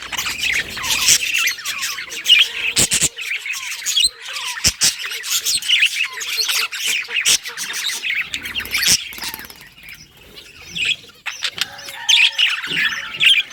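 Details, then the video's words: Budgerigar singing, described as happy: dense, continuous warbling chatter of quick chirps, squeaks and short squawks, high-pitched and busy, with a few brief quiet gaps and sharp clicks near three and nine seconds. "Budgie singing happy | Birds chirping | Parakeet happy life"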